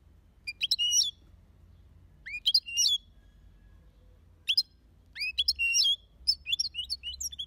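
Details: Goldfinch from an aviary delivering short bursts of sweet twittering, three or four rising chirps clustered together, separated by pauses of about a second, growing busier toward the end; soft low hum throughout.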